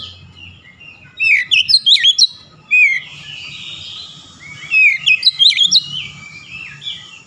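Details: Oriental magpie-robin singing 'nembak' style, showing off its learned repertoire: two loud bursts of jerky swooping whistles and sharp notes, separated by a softer thin whistled passage.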